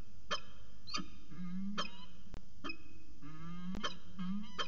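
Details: Peregrine falcon pair at CSU Orange in a long afternoon exchange, 13 January 2019, about 4:19 pm; sharp harmonic calls repeated roughly every half to one second, some with drawn-out nasal wavering tails, steady low hum behind.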